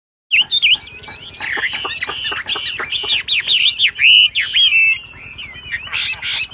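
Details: Wambi bird singing in a lively ngebrem gacor style: a fast, varied run of sliding, rising and falling whistled notes mixed with harsh squawky bursts, pouring out almost without pause.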